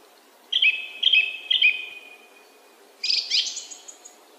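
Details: Song thrush (Turdus philomelos), song.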